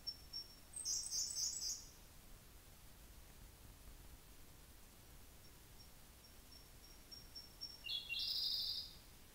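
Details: Siberian blue robin singing at Hocchi, Minami-Karuizawa, Japan, at 3 pm on 17 June 2018; two phrases, each a thin high drawn-out note followed by a loud rapid chattering burst, about seven seconds apart, against quiet background.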